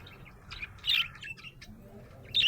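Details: A happy budgie chirps in quick high twittering notes, with a loud squeaky burst in the middle and another sharp chirp at the close, over faint low rumble.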